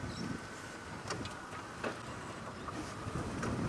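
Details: Car interior during a sunrise drive on December 2, 2016, with steady engine and road rumble and a few soft clicks and rattles.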